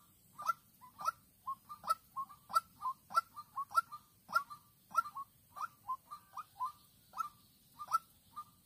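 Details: Trapping scene in Vĩnh Long, 16 March 2022: a young decoy white-breasted waterhen calls toward a combative wild female. Rapid hollow notes, some run together in pairs and triplets, repeat nearly twice a second, loud and clear.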